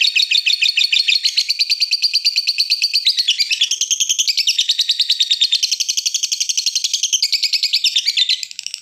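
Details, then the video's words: Lovebird ngekek song used as a lure to get other lovebirds singing: a dense, continuous chattering trill of very rapid, harsh repeated notes that shifts pitch in blocks every second or two. "pancingan love bird ngekek"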